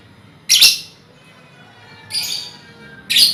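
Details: Colony of lovebirds used as a lure for trilling: three loud, raspy squawks, each about a third of a second long, separated by gaps of one to one and a half seconds, with faint hum behind.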